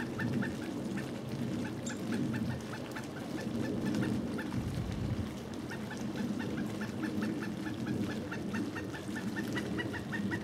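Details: Pileated woodpecker in Duke Island Park on January 25, 2011, filmed with a Panasonic HDC-SD60 camcorder. Faint series of short, evenly spaced notes come in runs against steady low background rumble.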